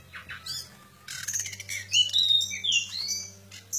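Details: Oriental white-eye, known locally as decu kembang, singing in a fight context: quick high chirps, thin whistled slurs and trills, busy and irregular, with a low steady hum beneath.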